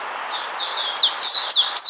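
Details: Brief burst from an oriental white-eye in captivity: a few sharp, high downward-sweeping whistles following a soft warble, against steady hiss.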